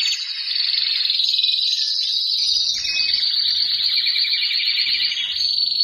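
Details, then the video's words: White Syrian canary, a caged male singing to court a female into mating posture: a continuous, loud, high rolling trill that holds steady and shifts slightly in pitch, with no pauses. "تغريد الكناري السوري الأبيض في السلاكة جاهز يجبر الأنثى على اتخاذ وضعية التلقيح"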